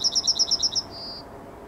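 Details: Yellowhammer singing in the morning on 9 May 2021: a fast series of about seven sharp, high, paired chirps, then one long, thin, level drawn-out note fading away.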